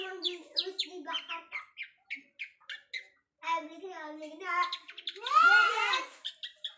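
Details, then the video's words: Long-tailed shrike learning fancy mimicry, uttering short spaced harmonic chirps, then rapid chattering phrases ending in a loud harsh, slurred squeal. "BURUNG CENDET BELAJAR BUNYI ISIAN MEWAH"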